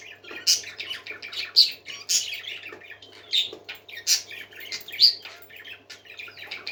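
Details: Pet parakeets singing in a room, a busy stream of scratchy warbles, clicks and bright high squawks repeated roughly every half second, with a faint steady hum in the background.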